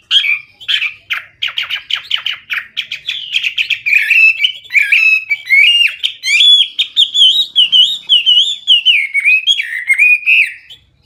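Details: Loud, clear Hwamei gacor singing with full isian: a fast stutter of sharp notes building into a long flowing series of looping, wavering whistles.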